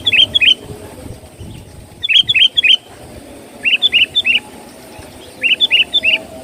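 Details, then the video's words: Sooty-headed bulbul singing vigorously for luring birds: four bursts of three or four quick, bright, bubbly whistled notes, each burst about two seconds apart, loud and clear over low background rumble. "suara pikat burung KUTILANG gacor"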